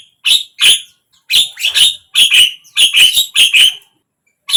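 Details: Javan myna, a caged bird played to prompt a silent myna to open its beak and sing; harsh, chattering bursts in paired notes, rasping and noisy, repeated with short pauses between.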